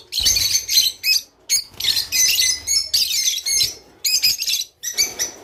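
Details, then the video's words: Java sparrow song meant to encourage breeding: dense, bright, chattering bursts of high clicking notes, roughly six phrases separated by brief pauses. "تغريد روز / صوت روز/حفزطيورك علي التزاوج"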